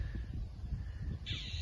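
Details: A Red-tailed Hawk at its nest, up in a tree, gives a single hoarse, rasping scream near the end, with a mockingbird screaming back at it, over steady low wind rumble; Memorial Day weekend.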